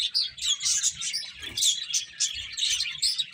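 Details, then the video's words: Feeding finches give clustered high chirps in short bursts, with soft low bumps and a brief rustle near the middle. "Cute Finches Chirping Sounds"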